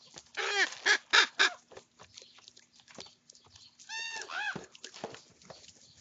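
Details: Young common ravens quarrelling over breakfast food: a quick burst of four hoarse squawks, a pause with scuffling, then two more drawn harmonic caws.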